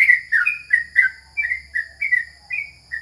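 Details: Trucukan, or yellow-vented bulbul, a contest bird recorded at home during the corona period, sings a steady string of about ten short, clear whistled notes. Each note slides slightly, and the notes come roughly every third of a second.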